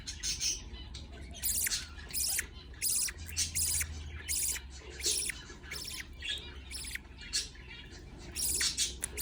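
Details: Begging from budgerigar chicks at feeding time: a run of scratchy, buzzy high bursts in quick, uneven succession, some doubled, with short soft chirps between them and low background hum.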